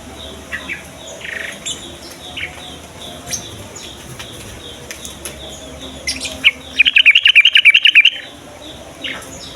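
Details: Yellow-vented bulbul singing in the morning as a lure for young birds: distant faint chirps, then a loud, quick run of about a dozen bubbly, warbling notes lasting under two seconds.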